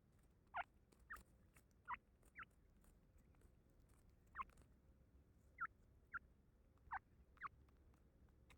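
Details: Grey francolin chick giving short, sharp rising calls, single or in quick pairs, roughly every half second to one and a half seconds, over a quiet background.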